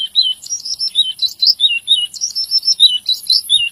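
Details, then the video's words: Lively Javan bush lark song: quick runs of short, sweeping high chirps and trills, loud and clear, repeated almost without break, with a thin steady high whine in the background. "Suara Branjangan Gacor"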